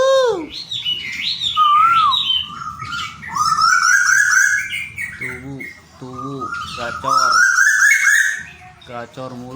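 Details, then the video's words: A captive Tuwu bird from Bogor, whose call is said to carry kilometres, especially at night, gives loud, rich whistles that swoop and bend in pitch, in bursts a few seconds apart, with lower human-like voiced sounds between them. "Suara Asli Burung Tuwu"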